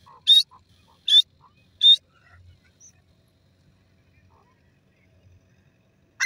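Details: Grey francolin calling: three loud, short, harsh notes about 0.8 seconds apart, then quiet with faint low background rumble.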